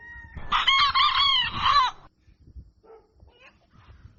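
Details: Dawn crow of a rooster: one loud, strained cock-a-doodle-doo of about one and a half seconds, followed by quiet clucks and low rumbling noise.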